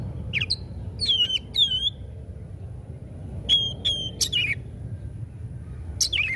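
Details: Magpie-robin (kacer) giving scattered whistled phrases: clear level whistles and quick down-slurred notes separated by pauses, over a steady low background rumble.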